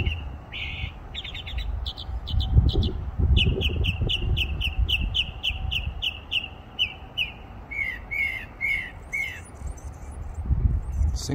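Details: Varied song of a songbird perched in a tree: quick bursts of chips, then a long evenly paced series of bright repeated notes, ending in slurred downward chirps, with low rumbling background.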